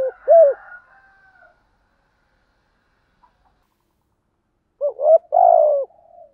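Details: Spotted dove cooing in the morning as a lure for wild doves. The end of one phrase opens the recording. After a long quiet gap, a new phrase begins with quick notes and a long falling coo.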